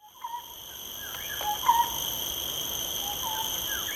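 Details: Lineated barbet in Singapore giving a few short, hollow, mellow hooting notes at medium-low pitch, spaced irregularly, over a steady high-pitched insect drone.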